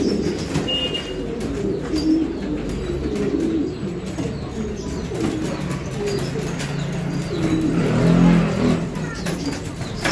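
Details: A flock of Filo pigeons coos in deep, overlapping rolls that swell toward the end. Scuffling and tapping are heard in between.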